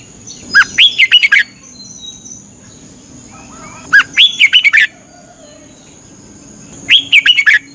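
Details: Red-whiskered bulbul training song from Thailand, used with cage birds for 30 minutes every morning. Three bright, bubbling phrases of five or six fast notes each, roughly three seconds apart, over a constant thin high tone.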